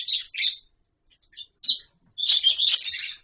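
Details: Lovebirds in a captive colony setup give two short squawky chirps, a soft pause, another chirp, then a sustained, scratchy chatter of high notes.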